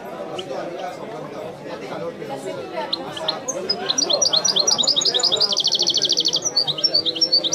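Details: European goldfinch singing in the Algerian 'wiidani' style, a bird named Messi: soft scattered notes over a low murmur build into loud rapid twitters and a fast rattling trill toward the end.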